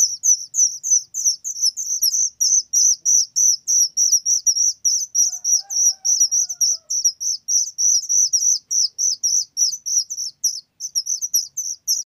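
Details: Long, persistent run of shrill, very loud calls from a whistling thrush chick, high thin notes repeated about three times a second for twelve seconds, with a faint lower tone briefly in the middle.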